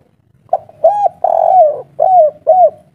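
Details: Spotted dove giving a local-type 'kuk 3' song in a mature voice: five mellow hooting coos, short and arched, then one long drawn-out note that falls at its end, then three more arched coos, all closely spaced.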